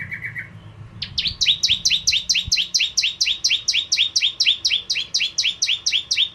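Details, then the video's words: Actively singing bar-winged prinia, lure for ciblek kristal: a brief low trill, then a long steady series of paired, high, sharp notes repeated about four times a second. "Burung Prenjak Jawa Gacor Pancingan Ciblek Kristal"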